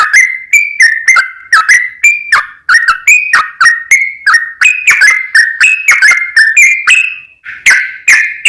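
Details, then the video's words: Yellow-vented bulbul in energetic long-run song meant to coax other bulbuls to sing back: continuous quick chain of liquid, slurred whistles alternating between higher and lower pitches, with brief gaps. "trucukan gacor ROPEL PANJANG pancingan trucukan agar bunyi burung trucuk gacor NYAUT"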